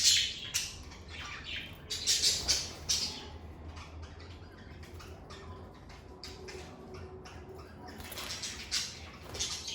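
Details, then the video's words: Lovebirds kept as pets chirping in a calm room: clusters of sharp, high chips and squeaky notes early and late, quieter ticking between, with a low background hum. "Lovebird Singing & Chirping Sounds"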